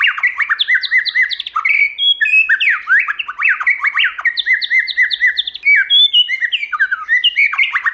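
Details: White-rumped shama in stimulating, many-voiced song meant to train shamas to sing well. Continuous bright medley of whistled slurs, quick up-and-down sweeps and crisp repeated chips, loud and steady from start to finish.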